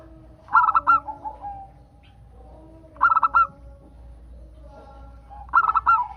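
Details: Local zebra dove song intended to prompt other zebra doves into song. Three phrases of quick, ringing, stuttered notes with a longer final note repeat roughly every two and a half seconds. Faint lower cooing runs underneath.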